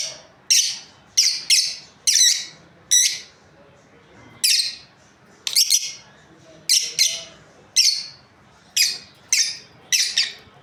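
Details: Shrill, squeaky chirps from a breeding pair of lovebirds, around seventeen harsh high notes, some doubled in quick pairs, coming in bursts with short gaps.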